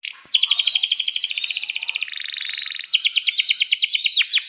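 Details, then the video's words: Canary singing as a lure to set other canaries singing: rapid high pulsed trills, then a lower buzzy rolled stretch, then a run of sharp, distinct repeated chips. The song is loud and continuous. "suara kenari gacor panjang AMPUH,, PANCINGAN KENARI AGAR BUNYI JADIKAN BURUNG KENARI GACOR Seketika"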